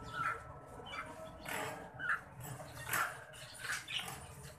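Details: Green budgerigar breeding pair, Australian parrots: short, sharp chirps repeated at uneven intervals of about a second, with soft scratchy noise and a steady low hum underneath.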